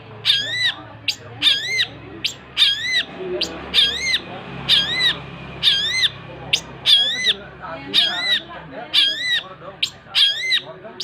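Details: Long-tailed shrike singing vigorously in a long run of rasping, arched notes, each swooping up then down, repeated about once a second, interspersed with sharp high ticks over a steady low background hum.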